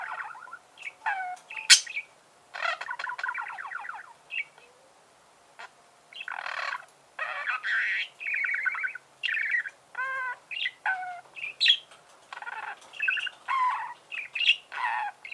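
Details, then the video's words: Pet budgerigar in captivity chirping: a long varied warble of rapid buzzy trills, squeaky whistles and short sharp notes in bursts, with brief pauses between phrases. "Чирикает волнистый попугай"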